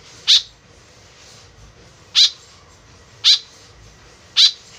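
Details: White-breasted woodswallow calls, used as a lure to draw birds closer: four harsh, nasal, buzzy notes about a second apart, each a short stacked burst, over quiet background hiss.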